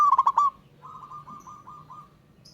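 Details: Ngayer-style calling of a wild local zebra dove challenging a rival: a quick loud run of clipped coos, followed by a softer, more distant series of evenly spaced cooing notes.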